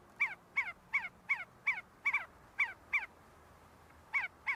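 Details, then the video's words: Feeding and fighting see-see partridges on the University of Sulaimani campus, Kurdistan, give sharp falling whistled notes in a quick series, then a gap of about a second before the notes resume. "سوێسکە - حجل - see see partridge"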